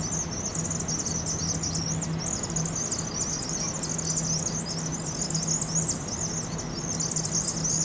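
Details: Thousands of Vaux's swifts on fall migration pour into a University of Oregon chimney to roost, Eugene, Oregon, played at 2.5x speed; unbroken shrill chattering of a huge flock, faint low drone behind.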